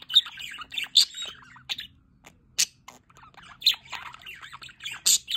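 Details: Budgerigar chatter in an aviary by a solar water fountain: scattered squeaky chirps and buzzy notes, with several loud harsh squawks standing out between quieter twitters.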